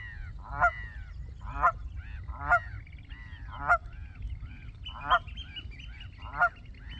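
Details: A very vocal Canada goose among others on the water, a nesting goose nearby: six loud, harsh honks spaced roughly a second apart, with steady low background rumble.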